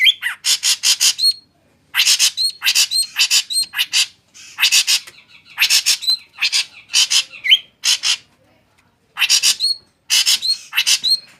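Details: Drongo giving loud, harsh, rasping bursts in quick clusters of three to five, each burst often ending in a short sharp whistle. Phrases are separated by brief silences.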